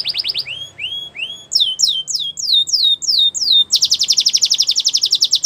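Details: Belgian canary song: rising and falling whistled slurs, a run of sharp downslurred notes, then a fast pulsing high trill, over faint low background noise.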